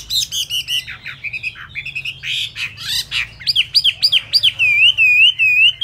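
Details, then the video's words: Chinese hwamei with still-damp plumage in fast song: bursts of harsh, chattering notes, then clear looping whistles repeated in quick succession and a sustained wavering, trilled whistle at the end. "Họa Mi tuyệt vời với tốc độ mỏ khi lông lá còn chưa khô"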